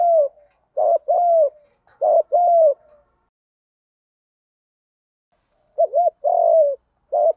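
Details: Spotted dove decoy coos in the 'đồng gù đấu' fighting style used to lure wild doves, with paired short-and-long hollow notes in two bursts separated by a long silent gap, no other sounds.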